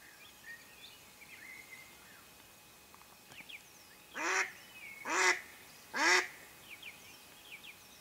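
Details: During a duck hunt, a decoy Mallard hen lets out three strong, raspy quacks in quick succession after several quiet seconds, while faint chirps of small birds sound in the background.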